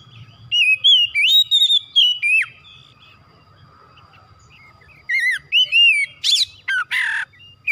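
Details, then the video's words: Oriental magpie-robin, kacer, singing two bursts of song separated by a pause: quick whistled notes and slurred phrases, the second burst ending with scratchy rasping notes. "TERAPI MERANGSANG KACER CEPAT EMOSI GACOR BONGKAR ISIAN"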